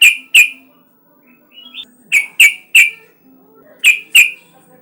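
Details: Yellow-vented bulbul call used to prompt other bulbuls to sing: loud, liquid chirps given in twos and threes, with a faint higher note between groups.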